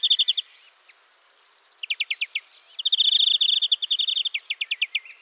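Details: European greenfinch song of fast ringing trills and twitters, a steady rolling rattle in the middle section, then spaced clipped notes trailing off.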